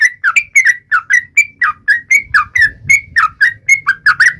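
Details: Yellow-vented bulbul singing vigorously to taunt rivals, a steady string of short liquid whistled notes, some dipping and some rising, about three per second, over faint low background rumble.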